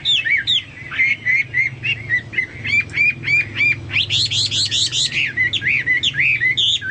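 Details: Chinese hwamei singing vigorously, its voice compared to cucak Papua or cucak mas: fast varied whistles with a burst of high, rapidly repeated notes in the middle, then more slurred phrases.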